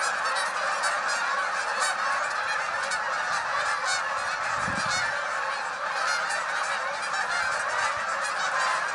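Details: A flock of hundreds of Canada geese heading skyward, producing a constant chorus of nasal honks with bright, clear individual calls repeated throughout and a short low thud midway.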